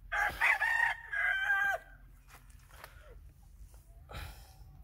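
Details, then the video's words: White francolin, locally teetar, calling: two loud, harsh, strongly harmonic bursts follow closely within the first two seconds, then near silence with faint clicks and a short noisy burst near the end. "white francolin teetar sound"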